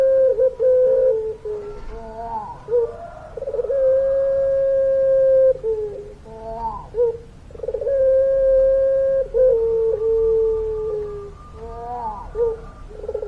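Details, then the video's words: Puter pelung dove, a Barbary dove form, calling vigorously in its long-voiced style: several drawn-out, even, low coos lasting up to two seconds, separated by short burbling and rising notes, repeated across the recording. "Puter Pelung Gacor Suara Panjang, Manggungnya Bikin Adem"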